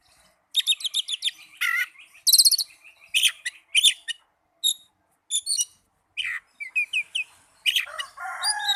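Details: Oriental magpie-robin lure song meant to make lazy caged birds sing; busy, varied phrases of rattling trills, harsh chirps and twisted whistles in quick bursts, nearly continuous throughout.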